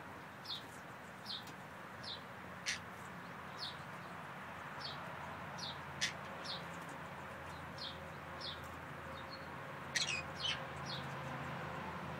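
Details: Green-cheeked conures (Pyrrhura molinae) give short, sharp, high chirps and squeaks, about two a second at an uneven pace, over a steady background hiss.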